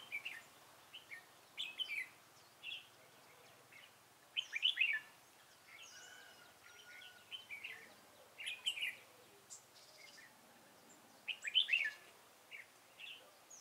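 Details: Red-whiskered bulbul used as a decoy to lure wild birds into a trap on a bitterly cold day, 11 February 2018; bright warbled chirping bursts come in short phrases one to two seconds apart over a faint hiss.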